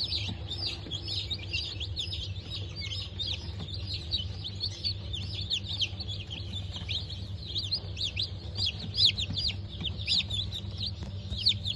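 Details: A brood of newly hatched chicks, Bantam Cochin and Sussex breeds, from a 3 November 2024 hatch, cheeping together nonstop in sharp, high, quick chirps layered over one another above a constant low mechanical hum.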